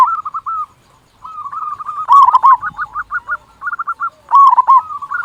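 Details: Loud-voiced local zebra dove singing actively, meant to prompt other doves into song: a long run of quick, rolling coo notes that rises into a louder stuttered burst, then trails into further trilled phrases.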